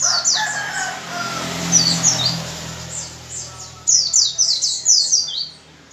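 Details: A white-eye singing hard in the 'gacor' manner to prompt other white-eyes to sing. Scattered high falling whistles over a hissing background build into a fast, loud run of slurred notes near the end.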